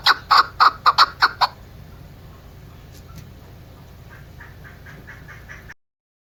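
A female chukar gives six loud, harsh clucking notes in quick succession, then a fainter run of softer, rhythmic notes.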